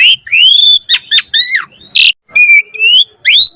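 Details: Asian pied starling singing in varied style to get other starlings singing, mixing long rising whistles, short squeaky doubled notes and a harsh rasping burst, about two phrases each second.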